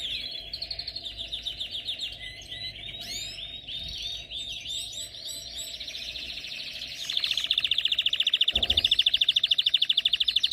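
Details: Jasib-type canary song: varied chirps and swooping whistled notes at first, then a rapid, louder rolling trill of evenly repeated notes building toward the end, with a brief low thump midway.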